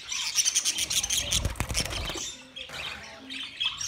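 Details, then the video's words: Budgerigars, 13 March 2024, twitter rapidly in overlapping high chirps; a burst of low fluttering thumps, like wingbeats, comes midway before the chatter thins. "Beautiful Australian Parrot sounds Budgie Sound"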